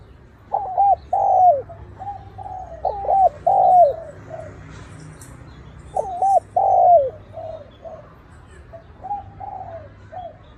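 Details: Spotted dove males in a fighting challenge between wild males, recording used to provoke rival males: two bursts of mellow, rounded coo phrases, short notes followed by longer bending coos, separated by a pause, over a faint low hum.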